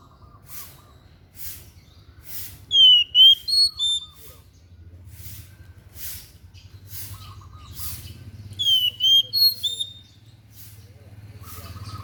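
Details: White-breasted bird with an unusual song, used for song training: loud clear whistled phrases with swooping downslurs and short high notes, in two bursts, over a faint repeated mid-pitched tone and low hum.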